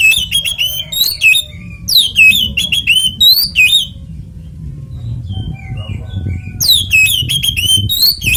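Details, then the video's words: Oriental magpie-robin in ngeplong tarung konslet fighting song, used as a lure to set other magpie-robins singing: fast, piercing whistled notes with steep up and down sweeps in long bursts, a quieter gap midway, steady low background noise. "SUARA BURUNG kacer gacor NGEPLONG TARUNG konslet"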